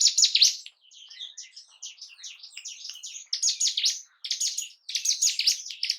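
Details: Bar-winged prinia (ciblek gunung) song played to arouse breeding condition and aggression in caged birds: dense, high scratchy chattering phrases with buzzy trills, delivered in bursts separated by short pauses.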